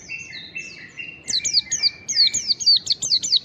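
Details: Mountain white-eye in long standard ngalas song, used as a lure. Softer thin whistles open, then a rapid string of loud, sharp, downslurred notes follows in quick rhythm.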